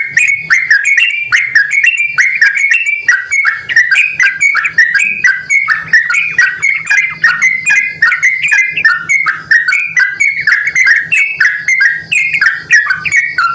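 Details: Yellow-vented bulbul (trucukan) calling persistently, used as a lure so other bulbuls respond: a dense, nonstop run of short bubbly whistled notes, rising and falling, packed several per second for the whole stretch, with a faint low hum beneath.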